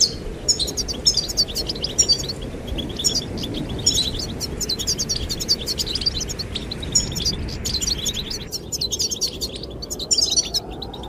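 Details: Singing goldfinches, courting the female, produce fast high chirping phrases that fade toward the end, while wind rushes steadily in the background.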